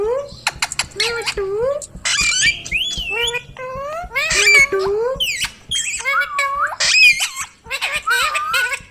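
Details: Pet ringneck parrot chattering and mimicking speech, many short rising and falling syllables in uneven bursts, some rough and noisy, others clearer and tonal, with faint clicking beneath.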